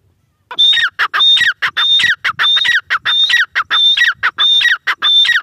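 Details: Teetar, the grey francolin, giving a loud repeated call after a short silence: strident paired notes, a high sustained whistle then a falling lower note, repeated rhythmically roughly every two-thirds of a second.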